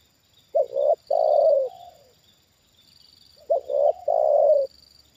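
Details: Tame lure-trained spotted dove responding to a wild bird lured down a second time; two phrases, each a clipped double coo leading into a longer, slightly falling coo, with a thin continuous high hum in the background.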